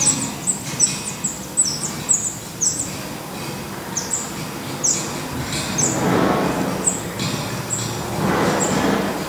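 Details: Black redstart nest with young in Portugal: sharp, high, thin notes clustered in a quick burst, then spaced out and sparser, while a low rushing rumble, like a passing vehicle, swells twice in the background.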